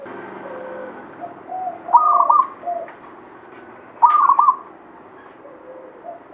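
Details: Local zebra dove, Banyumili katuranggan, heard a little farther off: two stuttering coo phrases two seconds apart among soft background cooing and faint hum.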